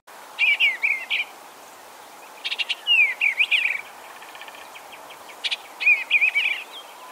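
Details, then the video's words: Eastern Bluebird, a bird of open areas near open fields, singing three short, soft warbled phrases of slurred whistles a few seconds apart, over a quiet background. "the eastern bluebird has some beautiful vocalizations if you live in kind of more open areas or near Open Fields you probably heard their warblings before"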